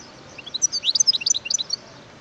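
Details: Wild European goldfinch delivering a tumbling run of fast, high, tinkling notes for just over a second, set against a quiet background.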